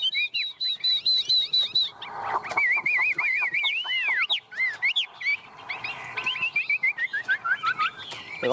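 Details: Hand-perched tame Chinese hwamei singing 'ôm cống': quick repeated high notes, then wavering trills and arched whistles, and a later series of fast chipping phrases.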